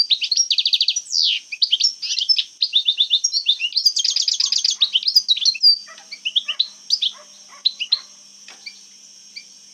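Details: European goldfinch from Algeria singing a bakri-style song: rapid tinkling twitters and fast trilled bursts, buzzy rattles near four seconds, then sparser scattered chirps and a thin sustained high tone toward the end.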